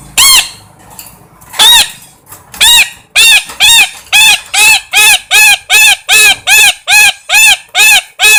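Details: A parrot squawks repeatedly, the harsh calls starting a second apart and then quickening into a steady run of about three per second.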